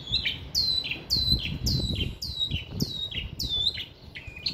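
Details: A caged long-tailed shrike delivers dense mimicked song, an imitator of other birds, chickens and geckos. Clear whistled notes drop sharply in pitch, each followed by a lower chirp, repeated about twice a second with steady rhythm.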